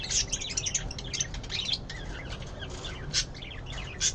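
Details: A bulbul newly visiting gives harsh, chattering calls in quick bursts of scratchy, high notes, over a low steady background rumble.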